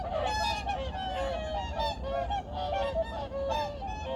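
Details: Migratory birds calling at Changwon's Junam Reservoir, South Korea, early morning, 2019. Close, clear nasal honks, some rising and some falling, overlap in a constant clamour from many birds.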